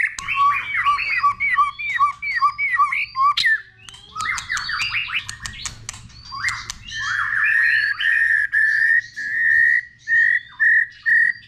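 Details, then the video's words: Caged white-rumped shama being trained to sing many voices, giving repeated short whistled downslurs in quick series, then a burst of chattering and a run of clear sustained whistles repeated about every second, with a low hum underneath. "Chòe lửa hót nhiều giọng"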